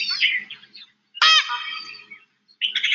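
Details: Indian Peafowl alarm call from an Indian jungle, a warning given for big cats and also for eagles and snakes: loud, harsh, honking bursts rich in harmonics, one strong falling call in the middle, shorter calls at the start and end.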